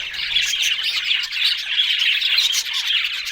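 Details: Budgerigars in dense, continuous chatter: rapid high chirps and warbling notes overlap with no pauses, steady in loudness across the few seconds.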